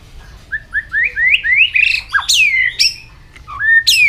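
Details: Shama song for training birds to sing many voices fast: a run of short upslurred whistles climbing in pitch, then loud ringing downslurred whistles and a final rising whistle.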